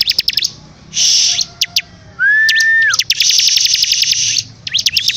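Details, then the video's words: Bar-winged prinia in lively song: quick high ticking notes, a broad buzzy rasp, then a steady, clear lower whistle held for almost a second before a long rapid series of ticks. "CIBLEK GACOR DORRRR!!!"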